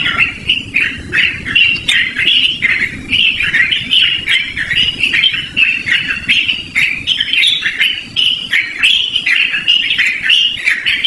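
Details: Yellow-vented bulbul song for luring birds or training them as a master recording. Loud, lively and continuous, it has rapid bubbly chattering phrases repeated almost without pause, mostly high-pitched, with faint low background rumble.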